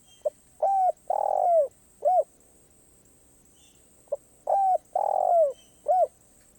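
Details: Karom pa roi style song of a spotted dove, said to be off cue: two phrases of soft hoots, each a clipped note, a short coo, a long falling croon and a brief closing hoot, separated by a pause.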